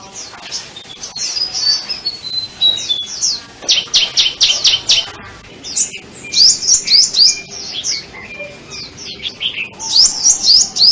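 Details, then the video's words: Sunbird song: high thin twitters, then a run of sharp repeated ticking notes, followed by rapid sweeping trills in lively bursts. "Tiếng chim hút mật"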